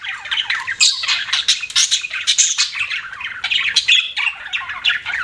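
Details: A group of pet budgies giving harsh squawky chirps and rapid chatter, with a short gap near the middle before the scratchy twittering resumes.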